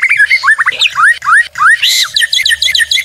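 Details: White-rumped shama (murai batu) song used as a tutor and lure track: a fast, varied run of whistled upslurs, slurred rising notes and chattering phrases, changing every few notes, with a steady low hum underneath.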